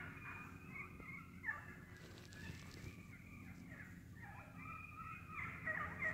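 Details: Wild turkeys foraging in woodland: bursts of harsh, overlapping clucks and cutting at the start and end, a quieter rustling stretch between, over steady low noise.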